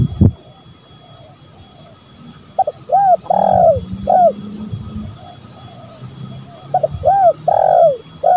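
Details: Spotted dove calling in a lure recording of male and female birds: two well-spaced coo phrases, each two or three short notes, a long rolling coo and a short tail note, after an opening knock, with a low hum beneath.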